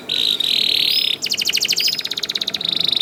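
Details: Young canary lure song meant to set other canaries singing: a long high steady whistle, then a pulsed rattling trill, returning to the sustained whistle.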